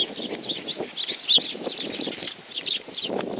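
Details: Sparrows gathering for food at Tenmangu shrine, Nakanoshima, on 7 June 2020: a flock's busy, overlapping high chirps and tweets, with wingbeats fluttering through.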